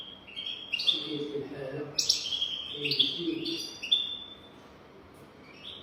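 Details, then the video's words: European goldfinch 'golden throat' song for teaching young goldfinches. Quick twittering notes and short buzzy trills come in a loose string, with a soft human voice murmuring underneath during the first half. "تغريد رهيب طائر الحسون حنجورة دهبية لتعليم طيور الحسون"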